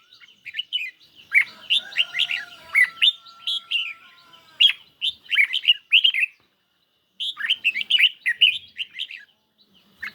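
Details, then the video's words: Red-whiskered bulbul in a cage, singing against a phone recording in light sun: crisp, quick phrases of bright chirped notes in two main bursts, with a faint thin whistle running beneath the first. "Chim Chào Mào Của A Tủa Hót Đấu Với Điện Thoại Cực Xung"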